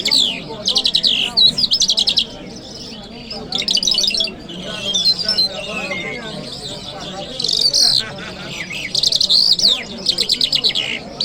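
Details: Long lark singing sequence from Kabul city on a Friday morning, repeated phrases of fast buzzy trills interleaved with slurred whistles and twittering, with short quiet gaps between bursts.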